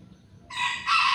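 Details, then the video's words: Morning chicken call from a backyard: a short, bright, harsh crow fragment that bursts in suddenly and grows louder and higher partway through, with a faint low hum beneath. "suara ayam"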